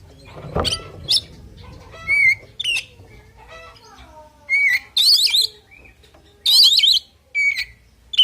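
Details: Oriental magpie-robin fighting song, sparser here: scattered clear, slurred whistles and chirps, then harsh, buzzy, warbling bursts, with a soft thump at the start and a faint sliding tone in the background.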